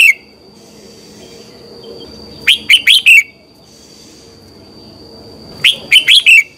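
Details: A red-whiskered bulbul sings its morning training song, short phrases of four quick, loud, downward-slurred whistles, roughly three seconds apart, over quiet background with a thin steady tone.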